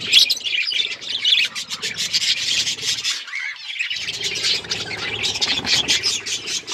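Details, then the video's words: Several colourful pet budgerigars chirping together: dense, scratchy, buzzy chatter with squawky notes, continuous throughout with a brief lull near the middle. "Budgies beautiful colours birds chirping sound"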